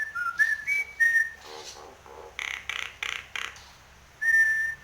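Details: Singing Nias hill myna, nodding its head, gives a short run of pure whistled notes at varied pitches, followed by faint rasping sounds, four loud harsh clap-like bursts and a final long whistle.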